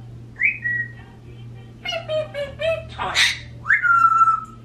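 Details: A 26-year-old African grey and a 16-year-old Quaker parrot, alone indoors, give a short whistle, then four evenly spaced beep-like notes mimicking 'beep beep beep beep', a harsh burst, and a long falling whistle.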